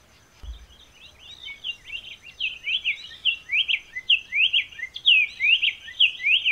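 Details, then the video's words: Brazilian black-faced tanager, the sanhaçu-de-coleira or tiê-cinza, giving a fast, continuous run of sweet slurred whistles that builds in loudness, the notes tumbling up and down in rapid succession; a faint steady high tone lies underneath. "Canto de Pássaro - SANHAÇU-DE-COLEIRA - Black-faced Tanager - Brazilian Birds Singing"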